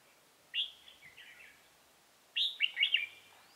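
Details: Decoy red-whiskered bulbul singing to draw wild rivals into a trap, 28 October 2018: two bright warbled phrases about two seconds apart, each opening with a loud rising whistle followed by quick tumbling notes, over quiet background.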